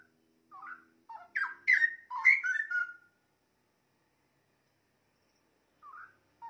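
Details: Cucak rowo, the straw-headed bulbul, singing for songbird training: a brief run of bubbling, liquid whistled notes rising and falling, followed by quiet and a couple of short whistles.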